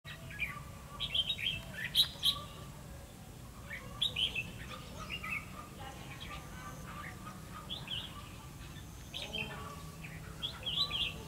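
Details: Red-whiskered bulbul decoy bird singing during trapping to lure wild birds, recorded 28 November 2015; bright warbled phrases and sharp chirps in bursts with pauses, several notes overlapping, over low steady background hum.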